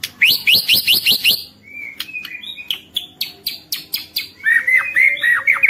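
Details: Energetic white-rumped shama song meant to provoke other shamas into singing: a fast burst of sharp rising chips opens, followed by a long series of clicks, whistles and descending slurred phrases.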